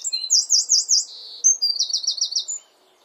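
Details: Near its nest in the garden, a Eurasian wren pours out a loud, high song: a swinging rolled trill, a short buzzy note, then a quick series of sharp repeated chips, stopping suddenly.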